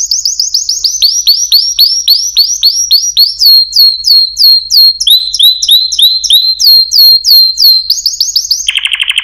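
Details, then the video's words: Singing canary, chant type, delivering a series of bright whistled notes that each slide sharply downward, about three per second, then shifting to a lower run of the same notes and ending in a quick buzzy rattle. "chant singing canaries 12 تغريد الكناري"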